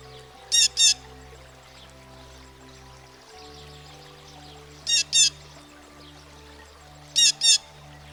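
Blue Jay giving harsh, raspy jay calls in quick doubled bursts, three pairs spread over several seconds, with soft music playing underneath.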